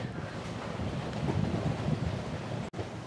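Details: Continuous wind and water wash with low rumbling and a brief dropout near the end, with no animal sound present.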